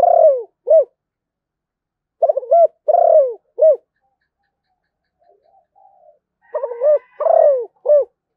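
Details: Zebra dove, Malaysian type, delivering several cooing phrases in succession: stuttered soft notes, rolling descending coos and short hoots, with a faint quiet murmur in a gap.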